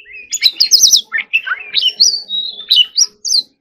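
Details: White-rumped shama, kept as a singing bird, in competitive song: rapid varied phrases of whistles, chattering notes and sweeping slurred tones, mostly high-pitched, with brief pauses between bursts; a faint low hum underneath.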